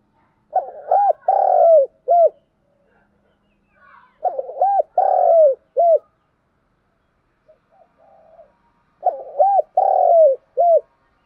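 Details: A spotted dove repeats its low, hollow cooing phrase three times, roughly every four seconds. Each phrase has a few arched coos around a long drawn note, and faint softer notes fall between phrases.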